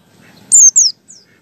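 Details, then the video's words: White-eye used as a lure to make other white-eyes sing, giving two quick high-pitched descending squeaky notes, followed by a faint shorter note. "PLECI BUKA PARUH ngalas 1,2,3 di jamin AMPUH UNTUK PANCINGAN PLECI"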